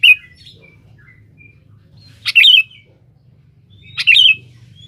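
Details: Sooty-headed bulbul calling a rival, used to lure other birds: two loud bubbly phrases of quick whistled notes about two seconds apart, with thin soft notes between and a faint low hum.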